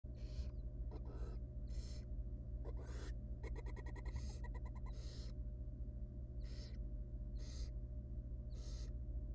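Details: Wild barn owl nestling in a monitored nest box being fed a large rodent by its mother; harsh hissing screeches about a second apart, with a burst of rapid clicking ticks midway, over a steady low electrical hum.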